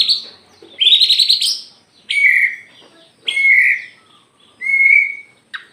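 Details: White-rumped shama of the Aceh type in full, frenzied song while fanning its tail. Varied whistled bursts come every second or so: a buzzy rising phrase, then clear held whistles that drop in pitch, with brief gaps between.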